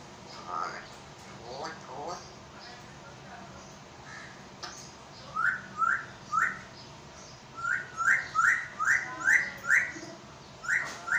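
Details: Urdu-speaking African grey parrot in Pakistan makes low chatter and mumbling at first, then bursts into rapid whistling: short upswept notes in quick runs of three and six, repeated more than twice a second.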